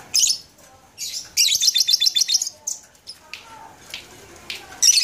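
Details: A labet in Banyuwangi, Indonesia, in January 2018 sings high, thin twittering phrases: a quick run of about eight bright chirps, then scattered sharp notes, with faint background sounds between bursts.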